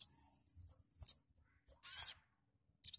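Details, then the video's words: Sogon bird sound played to stimulate singing: a few thin high chirps, a sharp bright note, then a harsh buzzy burst lasting about a quarter second and another rasping burst at the end. "AMPUH MERANGSANG BUNYI BURUNG SOGON"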